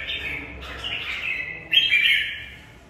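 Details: Red-whiskered bulbul in a cage, giving its fighting song: two clear warbled phrases, the second louder and slightly higher, sliding downward and fading at the end.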